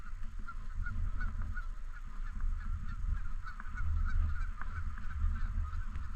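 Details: Canada geese around a park lake keep up a scattered chorus of short nasal honks, fairly even throughout, half-buried under strong low-pitched wind rumble.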